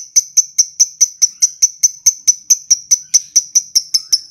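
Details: High, crisp lovebird ticks in a steady run, part of the long ngetik ngekek song. Dry, glassy clicks follow one another at a brisk, regular pace over a quiet background.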